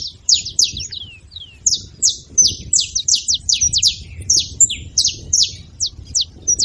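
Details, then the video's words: {'text': 'Saffron finches calling: high, sharp chirps falling steeply in pitch, delivered in uneven quick runs, with a few lower downslurred notes and faint low background noise.'} "canários da terra fazendo barulho"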